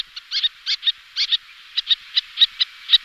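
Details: High, sharp notes from little terns, two pairs displaying on the wing, delivered in irregular doubles and singles, shrill and clipped, several birds calling in turn.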